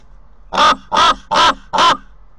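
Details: Common raven visiting a nest where ravens have bred in past years, at Corbera de Llobregat, Barcelona, recorded by a nest camera: four harsh, hoarse croaking calls, each about a quarter second long, evenly spaced roughly every 0.4 seconds.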